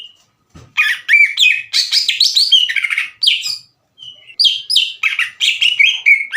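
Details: Greater green leafbird, a caged bird singing aggressively as a challenge to another leafbird: loud, varied string of rough chirps, slurred whistles and buzzy phrases in rapid bursts separated by brief gaps.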